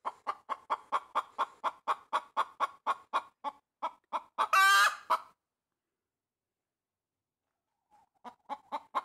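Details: Loud calls from a pet hen perched on a tree branch: a long series of quick, regular clucks, roughly four per second, rising into one harsh, ragged squawk, then silence before the clucking resumes.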